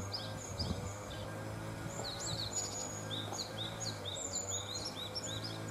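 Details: Japanese tit birds recorded after leaving a nest box: clusters of brief, high, upswept chip notes from several points, fairly continuous, with a persistent low droning hum beneath.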